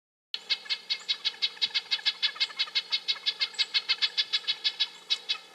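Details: After a moment of silence, a Red-breasted nuthatch starts a quick, even chain of short nasal beeps, about six each second, holding the pace throughout over a faint low hum.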